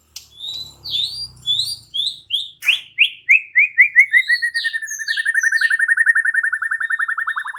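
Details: White-rumped shama singing, sweeping whistled notes that speed up into a long, rapid, evenly repeated trill; a low hum is heard at the start.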